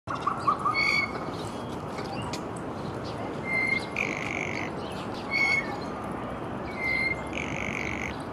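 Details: Three Blue Jays, two males and a female, in Central Park, New York City, possibly a rivalry triangle, give several short, dry rattling notes about every one and a half seconds over steady city and park noise.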